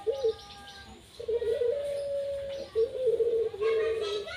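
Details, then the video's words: Pet Barbary dove cooing: a short hoot, then long, steady, low purring notes broken into several phrases, with human voices briefly at the start and end. "Burung puterku manggung"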